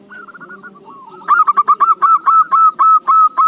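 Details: Zebra dove song played as a lure so that other doves, even reluctant ones, answer: soft low trill first, then a loud run of about a dozen rapid, ringing cooing notes, roughly three to four per second.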